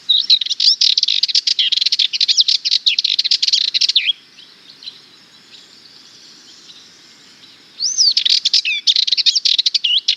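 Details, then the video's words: Long, dense rattling song of a Sardinian warbler, a bird of Mediterranean bushes and gardens, four seconds of fast scratchy notes with thin whistles, a quiet spell, then another hurried phrase. "Sardinian Warbler - Songs"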